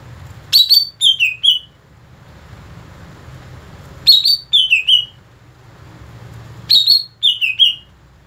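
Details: Greater green leafbird in its natural song, clear, high whistled phrases of three or four slurred notes repeated every three seconds or so, over a low background hum.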